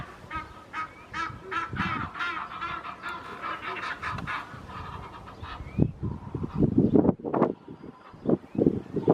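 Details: Red-knobbed coots chasing other birds off their territory: a burst of loud, harsh, clipped calls in quick succession, followed by splashing and thumping sounds of the chase on the water.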